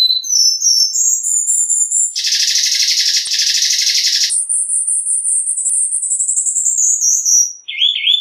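A Cuban bullfinch sings high, thin whistled phrases that slide and waver, broken by a dense buzzy trill and ending in a few quick warbled notes.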